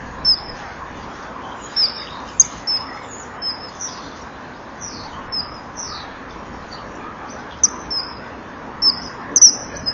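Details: On April 18, 2013 at 17:39, a male and female common kingfisher at a nest wall call to each other before mating, giving shrill, thin, high whistles, singly or in short bursts, over a steady low rushing background.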